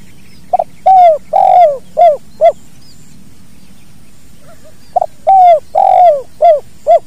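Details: Spotted dove in a natural recording for training other birds, repeating its 'kuk dua' call: a quick note, two long coos and two short coos, the phrase heard twice with a gap, low hum behind.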